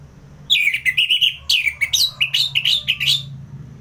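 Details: Orange-headed thrush, ngeplong style, from Singaraja in North Bali, sung as tutor and trigger material: a dense rapid torrent of loud chirped and slurred whistles, about three notes per half second, over a low hum.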